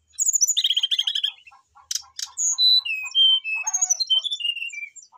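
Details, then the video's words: Brown-chested jungle flycatcher singing hard to challenge a rival, full of inserted phrases: fast buzzy trill opening, two sharp noisy bursts, then a string of clear falling whistles over regular low ticks. "srdc memanggil lawan jadi gacor, sikatan rimba dada coklat gacor full isian"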